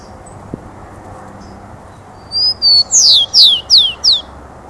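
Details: Rufous-collared sparrow singing a lot: a level whistled note, then five loud, clear slurred whistles, each sweeping down from high to lower pitch, given at a quick, even pace over a faint background hiss.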